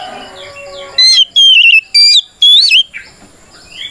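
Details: Kacer, the oriental magpie-robin, singing its provoking fight song: four loud whistled notes, the last swooping down and up, after a stretch of softer chirps from other birds in the background.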